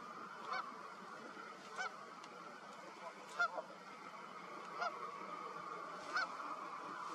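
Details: In spring snowmelt on a partly thawed lake, a Canada goose among returning migrants starting to nest gives five loud, nasal honks, one about every one and a half seconds, over a steady background hiss.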